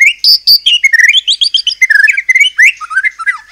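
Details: White-rumped shama in animated song, played to make other shamas sing back: a fast jumble of warbled, rising and falling whistled notes with a few sharp high chips.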